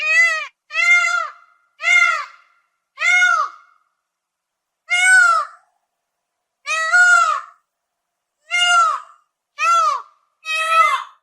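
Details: Series of nine loud peafowl wails over eleven seconds. Short bursts come quickly at first, then a pause, then more spaced and slightly longer cries, each harsh and ringing with a falling tail.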